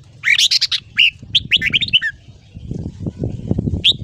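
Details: Red-whiskered bulbul singing in the morning for voice training of young birds, ché style: rich, fast warbling phrases of rising and falling whistled notes, followed by low rumbling background noise and a final chirp.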